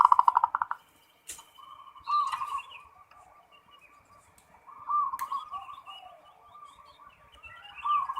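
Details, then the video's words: Zebra dove giving ngerot-style song: soft low rolling coos and short trilled phrases, with a louder burst at the start, a sharp click, a faint steady tone and some background rumble. "SUARA PERKUTUT FULL NGEROT"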